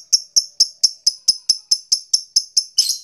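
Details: Ngekek chatter from a lovebird, aimed at making other lovebirds call and become aroused: a brisk, even string of bright, clipped high notes, about four per second, ending in a harsh burst.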